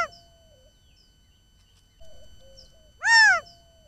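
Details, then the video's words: A male quail in the Arizona desert, caught on a trail camera and perhaps trying to locate his family, gives one loud, nasal, rising-then-falling note near the end after a fainter call at the start; otherwise quiet. "Male Quail Call"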